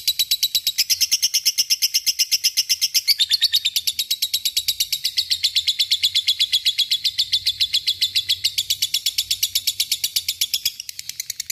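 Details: Fighter lovebird singing a long ngekek: an unbroken stream of shrill, rattling pulses lasting over ten seconds, pitch stepping down after about three seconds, then holding steady before a short change near the end.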